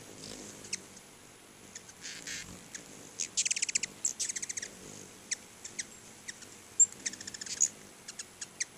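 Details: Several hummingbirds at two house-front feeders chatter in high, dry chips, with two quick rattling runs of ticks and loose single chips between them.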